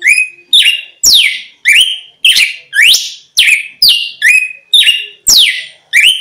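A red-cowled cardinal sings loud, bright whistled phrases, each sweeping down and then rising, repeated about twice a second without pause.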